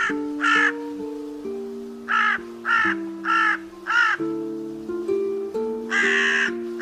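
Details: Crow cawing hoarsely in short, rough bursts, about eight in total, a quick run of five in the middle and a longer caw near the end. Steady tonal background music sounds throughout.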